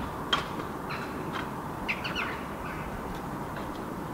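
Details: Eurasian jackdaws (Corvus monedula) gathered on a house roof in Helsinki, Finland, on an October 2015 evening before flying to roost in adjacent park trees. They give scattered short, sharp 'chak' calls, about five in four seconds, over a steady background hiss.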